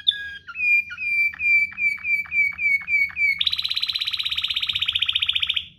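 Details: Waterslager canary in ngerol rolling song for canary tutoring: a series of slurred whistled notes with downward dips, each about a third of a second apart, then a long, loud, very rapid high roll that fades at the end.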